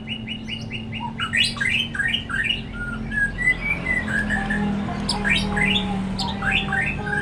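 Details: A white-rumped shama sings to goad other shamas into song. It opens with a quick series of repeated falling notes, then gives varied whistled phrases and rapid slurred chips over a constant low hum.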